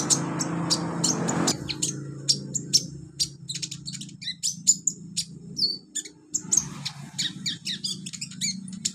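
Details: Olive-backed sunbird training recording meant to get young beginner birds singing: sharp, high, clipped chips and short twittering bursts in quick succession, with a low steady hum underneath and a rough noisy patch at the start.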